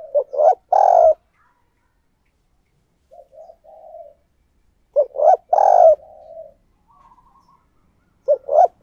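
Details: Spotted dove used as a decoy, cooing to attract wild doves. Loud, deep, hoarse coo phrases repeat about every five seconds, each of quick stuttered notes and one drawn-out roll. Quieter answering coos come from other doves.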